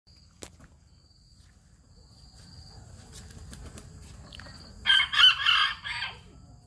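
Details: A bantam rooster in Hanoi gives one short, high, strained crow near the end, broken into a few rough bursts, after quiet moments with faint background noise.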